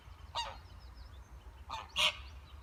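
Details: Duck family outdoors, giving two separated harsh honking calls, the second louder and doubled, with faint chirping of small birds and a low background rumble.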